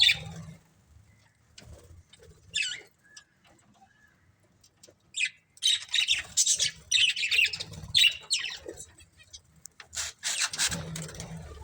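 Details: Budgerigars in a family group giving short bursts of harsh squawks and chirps separated by quiet gaps, louder clusters toward the end, over a faint low background hum.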